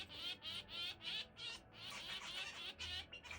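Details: Pet zebra finch, two birds nuzzling on the back of a hand before a sudden screaming song: harsh, nasal, buzzy notes pulsing about three times a second, over a faint low hum.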